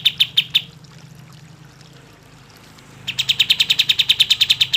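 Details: Kapas tembak bird song for luring lazy birds to sing; a few loud high chips, a pause, then a fast, steady run of bright chip notes, roughly seven per second, over low hum.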